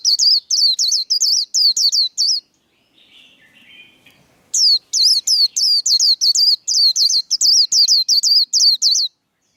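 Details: Contest-style líu song of a white-eye: a rapid run of high, hooked whistled notes that stops for about two seconds and then resumes at the same fast pace.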